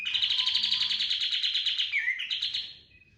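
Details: Gacor kapas tembak cotton bird in a training lure song: a long, rapid, high trill of evenly pulsed notes for nearly two seconds, then a dip and a shorter chattering flourish before fading.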